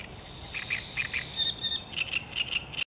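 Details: Savi's warbler (Locustella luscinioides) recorded 29 June 2015 at Głębokie, singing its low, even, insect-like reel, a continuous buzzing trill, with a few brief chirping notes repeated about four times a second over it.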